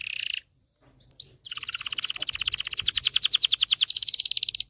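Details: Excited male canary singing, meant to stimulate males and ready females for breeding; after a short pause and a sharp upswept note, a long rapid rolling trill of bright high pulses runs steadily to the end.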